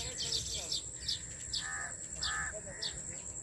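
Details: Weaver birds at their nest-building colony in a farmhouse tree give quick high chirps and several short rasping, buzzy calls in a loose series. A constant shrill insect hum runs underneath.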